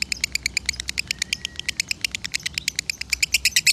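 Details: Masteran recording of a lovebird from Salatiga singing konslet style: rapid high, clipped chirps about three per second, uneven spacing, with a soft brief whistle in the middle and low background hum.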